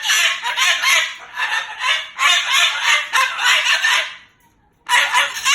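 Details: Moluccan cockatoo, a pet bird, cursing out its owner in anger: loud grating vocal bursts in quick pulses for about four seconds, a short silence, then shouting resumes.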